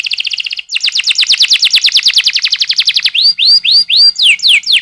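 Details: Young-canary singing lure in a long rolling canary style: a fast high trill, then a long run of rapid down-slurred notes, followed by evenly spaced rising whistled sweeps and falling slurs.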